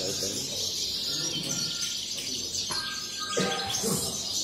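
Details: European goldfinch singing in a cage at a songbird competition held on 23 November 2019 near Barcelona, Spain: bright, rapid tinkling and twittered notes fill the recording, with a brief steady whistle, people talking quietly and a few knocks.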